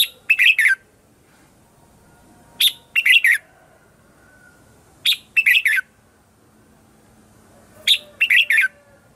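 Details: Red-whiskered bulbul morning song serving as a lure for wild birds: the same short, sharp, four-note warbled phrase repeated four times, roughly every two and a half seconds, in quiet surroundings.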